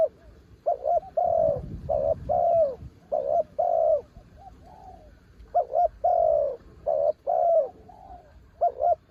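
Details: Spotted dove used as a decoy bird, a mountain-caught bird singing in strong wind: mellow low coos in short phrases, quick doubled notes followed by longer drawn-out coos, repeated with brief pauses; faint low rumble beneath.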